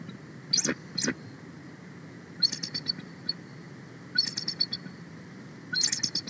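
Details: Female bald eagle on her nest on 31 March 2024, excited and calling loudly as a sub-adult eagle flies close: high squeaky chattering notes, two sharp single yelps then rapid descending twittering series, repeated in bursts.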